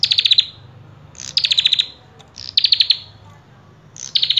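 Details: Common tailorbird singing actively: short bursts of six or seven rapid, sharp, high notes, each burst repeated about every one and a half seconds, with a faint low hum behind.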